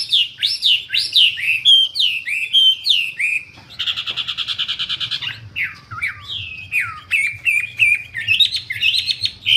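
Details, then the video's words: Wambi singing actively, a lively run of whistled phrases that swoop and slur up and down, broken midway by a rapid buzzy stuttering trill, then more varied whistles and twitters; low steady hum underneath. "Burung wambie"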